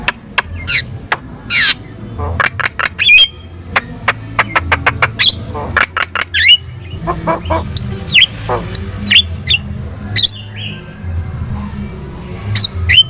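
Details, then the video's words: Lively Javan myna song for training other birds to respond: dense runs of dry clicking notes, later several bent, sliding whistles and short squeaks, with a steady low hum underneath. "SUARA MASTERAN JALAK KEBO GACOR | Cukup Putar 2 Menit,Di Jamin Burung Lain Bakal Respon"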